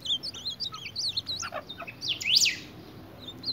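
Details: Ultramarine grosbeak fighting its own reflection in a mirror: quick high, twisting whistled notes in a busy run, with a brighter, sweeping buzzy burst late on, over a faint low background hum.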